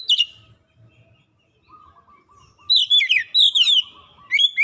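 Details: Oriental magpie-robin lure song, played to stir a quiet magpie-robin into full singing: a sharp high note burst, a pause with soft mid-pitched chips, then a run of loud whistled, sliding phrases with harsh overtones.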